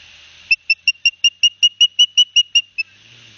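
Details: Osprey at a nest at Barnegat Light, New Jersey, 9 September 2021, while two young get fish brought by the adult male; a steady series of about twelve short, clear whistled chirps, evenly spaced, lasting just over two seconds.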